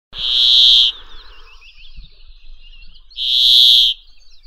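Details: Brambling call, described as harsh and nasal: two long buzzy, nasal notes about three seconds apart, each near a second long and steady in pitch, with faint chirping between them.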